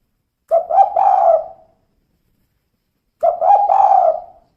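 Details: Spotted dove female uttering two kuk 2 style phrases: soft, quick stuttered coos that lead into a drawn-out mellow coo which fades away, the phrases some two and a half seconds apart, with no other sounds.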